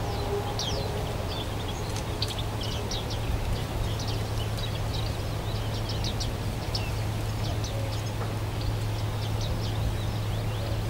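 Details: Juvenile male and female bearded reedlings (Panurus biarmicus) at Rietputten, South Holland, give a steady scatter of short metallic 'ping' calls, several birds overlapping, above a constant low rumble of wind or distant traffic.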